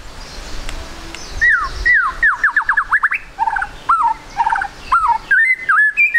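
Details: White-rumped shama (murai batu) trotol lure song to prompt quick singing: downward-sliding whistles, then a rapid burst of rising notes, followed by warbled phrases and a looping whistled ending.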